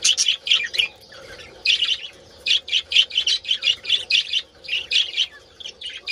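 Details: Budgerigars calling in a colony during mating: rhythmic, high squeaky warbles in quick pulsed bursts, many birds chattering together, a constant faint hum in the background.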